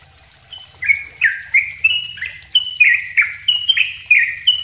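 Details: Sooty-headed bulbul in vigorous, close-set song recorded for training other birds: after a quiet start, a regular series of slurred whistled notes about three per second, pitch sliding down and stepping up, over a low murmur.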